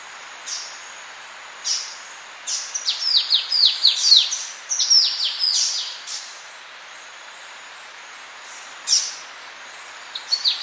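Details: Orange-breasted honeyeater singing at medium-close range, with calls of a Polynesian triller: bursts of sharp, high, rapidly descending chirps and squeaky notes in irregular clusters, over a steady high cricket drone and faint background hiss.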